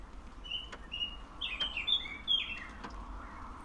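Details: An albino Osprey at Urdaibai, Spain, recorded 3 June 2021 at 13:23, gives short, clear whistled chirps, several in a loose series, some slurring downward, over steady low background rumble.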